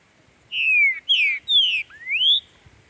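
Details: Green-winged saltator (Saltator similis) singing in the breeding and contest season, four loud, clear whistled phrases of about half a second each, three slurred downward, the last rising sharply, over a faint low murmur.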